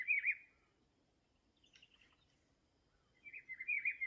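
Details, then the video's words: Rufous-browed peppershrike in the Atlantic Forest, with the tail of one warbled phrase and the start of another, both looping whistled notes, over a soft low background hum and a faint chirp between. "Canto do pitiguari"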